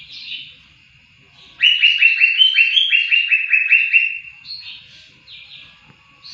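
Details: ['Greater green leafbird song recorded for tutoring other songbirds: a rapid run of about nine slurred, downward-sweeping notes in a quick series, framed by softer high whistles and a steady thin tone before and after.']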